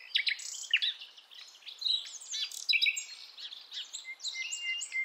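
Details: Wild forest Nightingale from Java and Aceh, a female calling the male, used as a lure for young birds: a fast, busy run of high twittering, sliding and buzzy notes, ending with short repeated whistles.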